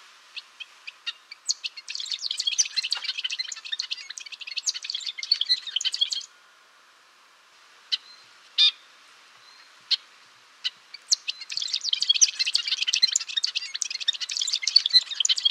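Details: Golden-rumped euphonia, also known as gaturamo-rei, singing: a long dense jumble of high, fast twittering and scratchy chattering notes, pausing for several seconds with only isolated clicks, then resuming the rapid warbling chatter.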